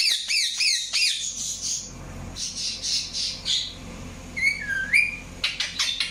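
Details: Indian ringneck parakeet chirping: a few quick arched chirps open, followed by raspy squawking bursts, then a drawn-out whistled note that dips and rises, ending in short sharp chirps.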